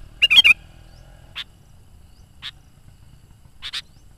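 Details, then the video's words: Lively sooty-headed bulbul song for luring wild kutilang: it opens with a short, bubbling, whistled warble, followed by three spaced, sharp high chips, the last one doubled. "SUARA BURUNG KUTILANG GACOR COCOK UNTUK PANGGILAN BURUNG KUTILANG LIAR DAN PIKAT AJARAN"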